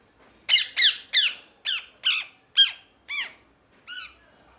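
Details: Parrot repeating a series of eight short, harsh squawks about every half second, each note sliding downward in pitch, the later ones softer and more tonal, in a small indoor space.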